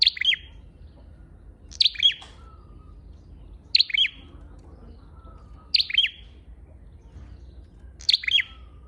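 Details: Red-headed flowerpecker calling as a lure, five sharp, high chirp bursts at a steady pace of about one every two seconds, each a tight double note, with faint thin whistles between.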